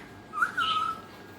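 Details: Indoor Alexandrine parakeet uttering one short whistled note, clear and level, lasting about half a second against a faint room hum.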